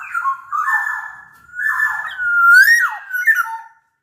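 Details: Sumbawa black-naped oriole singing as a lure for other orioles: a continuous four-second stream of smooth, fluty whistles sliding up and down, ending on a low dropping note.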